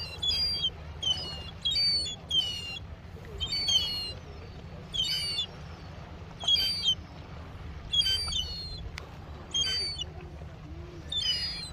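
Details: Noisy young seagull at Mevagissey harbour, Cornwall; loud, high, whistled wailing calls, each a short squealing burst, repeated about fourteen times in twelve seconds at an uneven pace over a constant low rumble.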